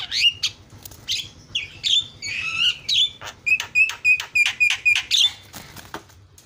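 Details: Provocation song of a Javan myna: mixed whistled and scratchy notes, then a run of sharp repeated chips with short whistles, roughly three per second, fading at the end; a low background hum throughout.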